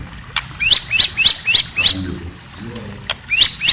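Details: At night a white-rumped shama gives a string of sharp, high chirps, each a quick upward flick, repeated roughly every quarter second, with a short pause before the series resumes; faint low murmuring below.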